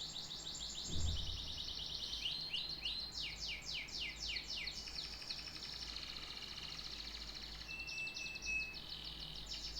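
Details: Canary singing: a high rolling trill, then a slower run of loud sweeping notes, followed by fine buzzy rattles and a brief thin whistle, with a faint low thud near the start.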